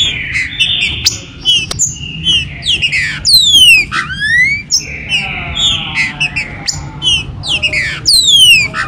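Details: Captive green-winged saltators, a 2022-season warm-up recording meant to make caged birds active: sustained bright whistles, loud descending harmonic swoops near three and four seconds and again at the end, scattered short notes between.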